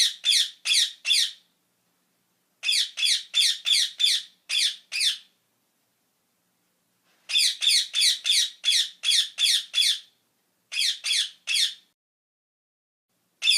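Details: A parrot gives runs of raspy, high squawks in clusters of two to six, spaced by short pauses, fairly steady rhythm throughout; clean recording with silence between bursts.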